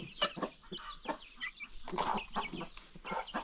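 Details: Farm chickens ranging freely among new baby chicks, giving a steady run of short clucks and sharp high cheeps that overlap throughout.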